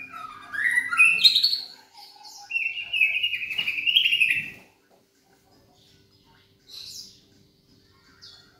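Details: Young Medan white-rumped shama, black-legged, a 3.5-month-old trotol still in juvenile plumage, kept at a house in Jogja, singing loudly: clear whistled and buzzy phrases, rising and wavering, then a pause and short high notes.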